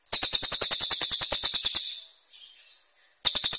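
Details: Cililin bird in a contest-bird training recording, its song described as harsh sharp bursts: a rapid, high, buzzy trill of evenly repeated notes lasting about 1.7 seconds, then a faint softer note and another burst begins.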